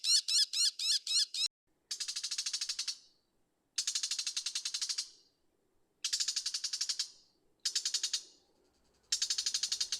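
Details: Brown shrike (Lanius cristatus) in Japan gives harsh, rapid chattering bursts, each about a second long, repeated every two seconds or so and opening with a few sharper, higher notes.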